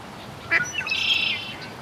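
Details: A mallard duckling at a meadow spring pond on Mt Shasta, California, in mid-June, gives a brief high chirp, then a drawn-out, shrill whistled peep lasting about half a second, against faint outdoor hiss.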